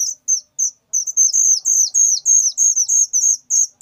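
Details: A whistling thrush (ciung batu) chick gives loud, very high, thin notes, many slurring slightly downward, repeated rapidly at about three per second with no other sounds.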